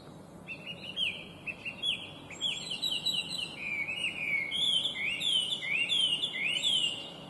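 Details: Chinese hwamei, listed as an invasive species, singing bright, complex song: scattered whistles leading into repeated upslurred notes and louder rich phrases, repetitive and varied.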